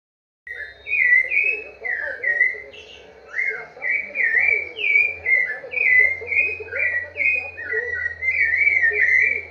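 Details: Rufous-bellied thrush in the song style called "vovó viu": a continuous run of clear whistled phrases, each short and slurred, some rising and some falling, delivered one after another with barely a pause.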